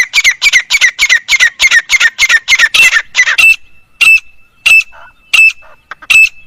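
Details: Grey francolin calling: a fast run of loud, harsh, rasping notes about three per second, then slower single harsh notes spaced about half a second apart, with a thin steady whistle-like tone underneath.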